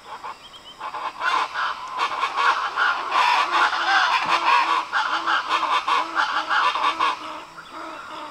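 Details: Agami herons on the Pixaim River in the Brazilian Pantanal give harsh, guttural croaks and honks in rapid overlapping bursts, about two or three a second, with a faint low droning note underneath.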